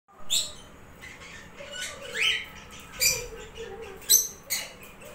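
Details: Tame grey cockatiel chicks give harsh, hissing squawks and rising chirps in irregular bursts.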